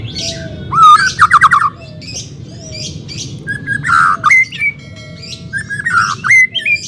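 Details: Song of a white-rumped shama for coaxing a bird that will not sing: clear whistled glides and rapid stuttering trills, rich buzzy phrases, pauses between bursts, some notes sliding upward.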